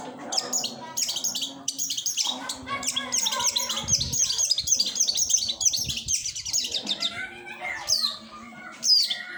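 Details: Long-tailed shrike: a continuous jumble of rapid high twittering and scratchy chatter, thinning out near the end to a few sharp isolated notes, with a faint low hum in the background.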